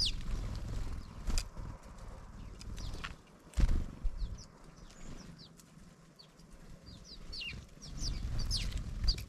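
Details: A noisy flock of house sparrows discovering a feeder chirps in short, bright, repeated notes, several birds at once, over a low rumble and a few thumps and wing flutters.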